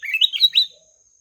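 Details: Kutilang emas singing a quick, bright phrase of slurred, warbling notes that rise and fall over about two-thirds of a second, then stop into silence.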